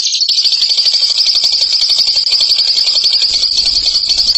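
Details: Continuous, high-pitched rapid trill from a bird shown as a ngekek champion, the notes blurring into an even buzzing rattle from start to finish.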